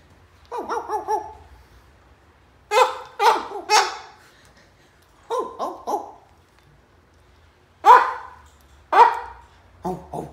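A cockatoo gives short, hoarse, dog-like barks in loose bursts of two or three.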